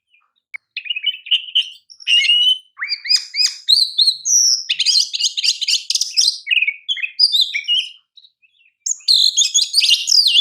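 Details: Oriental magpie-robin, a champion kacer, delivering a long continuous master song of mixed sweet whistles, buzzy rasps and rapid chattering notes over about seven seconds, then a fresh burst after a short gap.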